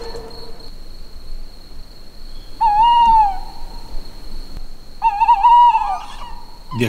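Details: Tawny owls calling in the evening after dusk at the forest edge in central Slovenia, two communicating from north and east: two drawn-out, mellow hoots about two seconds apart, the second quavering before fading, over a steady high electronic whine.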